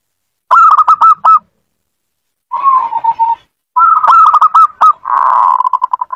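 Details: Zebra dove cooing, played to spur a quiet pet dove to start singing: a clipped series of quick stuttered coos, a softer falling coo after a pause, then another rapid burst and a blurred trailing phrase.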